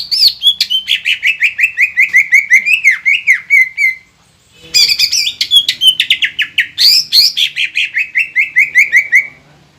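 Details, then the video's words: Green leafbird in vigorous song, played to provoke other leafbirds: a fast series of repeated notes sliding slowly downward, a pause near four seconds, then harsh high bursts and another descending run. "PANCINGAN CUCAK IJO GACOR INI MAMPU BIKIN EMOSI LAWAN CUMA HITUNGAN DETIK"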